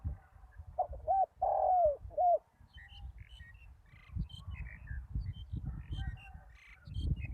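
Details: Decoy spotted dove on open ground after a storm gives one deep phrase: a clipped coo, a long drawn-out falling coo, then a short final note. Faint chirps from other birds and low rumbling follow.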